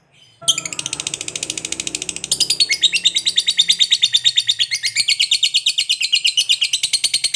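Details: Fighter lovebird giving a long ngekek chatter meant to provoke other lovebirds into answering: a fast, continuous, high rattling series of harsh chirps, about three per second, growing steadier and louder throughout, with no pause.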